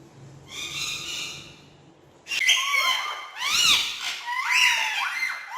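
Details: Three male ringneck parakeets playing on house stairs indoors, giving loud harsh screeches in arched, rising-falling notes after a quieter start with soft chatter.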